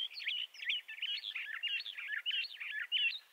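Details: Bendire's thrasher song: a short, dense run of sweet, burry warbles, the phrases tumbling together at a quick, slightly uneven pace.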